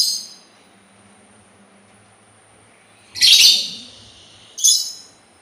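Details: Sultan tit giving two loud, harsh, broad-toned bursts, the first longer and rasping, the second short, after a quiet stretch with a faint low hum.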